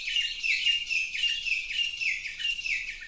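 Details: Tropical forest bird on Hawaii's Big Island singing a continuous run of bright, high chirps with small downward slurs, repeated rapidly.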